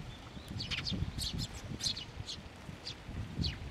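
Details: Sparrows assembling on a shrine's water bridge to receive food, June 2023: sparse high, quick chirps every half second or so, partly masked by a low continuous rumble.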